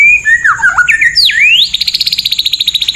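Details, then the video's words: White-rumped shama rough 'tembakan' song: squawky, warbling slurred whistles swooping down and up, then a rapid, steady volley of high clipped notes. "MASTERAN MURAI BATU FULL ISIAN TEMBAKAN KASAR"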